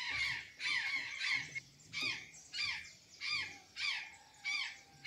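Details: Azure jay eating banana and sweet potatoes in Santa Catarina: loud, raspy squawks, each with a downward-sweeping note, repeated steadily about one and a half times per second.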